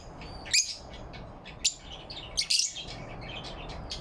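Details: Lovebirds chirping happily in the morning light on November 4, 2023: harsh, high chirps come in three main bursts about a second apart, with fainter chirps between, over a steady low background hiss.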